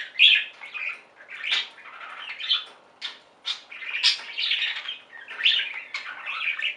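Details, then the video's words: Budgerigar flock chattering: steady warbling with scratchy squawks and brief sharp clicks, loudest at the start and in repeated swells throughout. "Most Beautiful Budgie songs Ever: Budgies singing and chirping"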